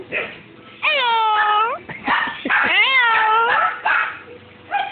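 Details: Pet-store parrot mimicking the phrase "here kitty kitty": two drawn-out, rising-then-falling human-like vocal phrases with rich harmonics, separated by short breaks, with bits of chatter and laughter around them indoors.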